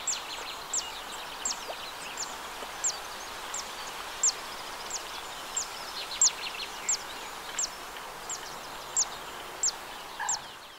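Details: Zitting cisticola singing in a wetland at the Arzal dam, Morbihan, France, on 2 June 2023: sharp, very high 'zit' notes repeated steadily about every 0.7 seconds over a dense background chatter of other birds.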